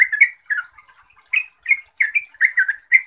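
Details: Trucuk, the yellow-vented bulbul, singing gacor: chattering, liquid phrases with brief gaps, some notes rising then dipping, grouped in quick bursts of two or three.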